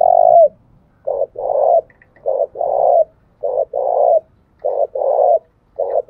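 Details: Spotted dove from Dong Nai, Vietnam, giving a provoking coo used to stir up and train decoy birds: soft, low hollow notes in short groups, some paired, repeated with uneven gaps over a quiet background.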